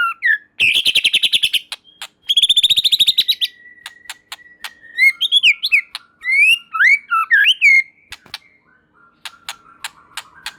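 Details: White-rumped shama song meant to provoke other shamas into answering. It opens with two fast, dry rattling trills, then a long thin steady whistle and a run of bright swooping, slurred whistles, with scattered sharp clicks afterward.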